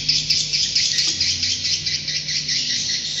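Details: Swiftlet roosting call, played as a lure: dense, high twittering chirps with uneven rapid repeats, roughly two per second, plus a steady low electrical hum underneath.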